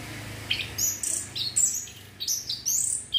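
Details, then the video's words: Orange-headed thrush singing as breeding-urge therapy: repeated sharp, high whistled phrases, several rising then falling, delivered about every half second over a steady low background hum. "TERAPI ANIS KEMBANG PUNGLOR MEMANCING BIRAHI BIAR CEPET GACOR"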